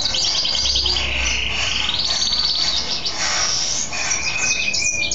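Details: Caged male mule goldfinch, a goldfinch hybrid, singing happily after a bath: fast high twittering with trills and drawn-out whistled notes, over a steady low hum.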